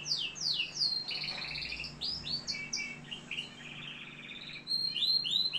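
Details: Canary from Algeria in continuous song, with high descending whistled sweeps leading into rapid pulsed trills and chattering rolls that change pitch, then ending with bright, quick rising notes. A faint background hum is present.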